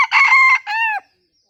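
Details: Bantam cock crowing with a laughter-like rhythm: loud choppy bursts run into a steady, held final note, then silence.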